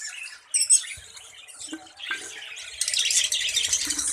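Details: Budgerigars in a breeding colony with many young birds, a busy mix of scratchy squawks and chirps that swells into a dense, continuous high chatter in the last second and a half.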